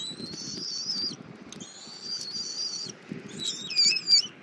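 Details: Bald eagle eaglet being fed by its mother at a nest in Southwest Florida on 24 February 2024, 08:41, after she brought an armadillo for breakfast; three long, thin, high whistles, the last wavering, over low rustling and wind rumble.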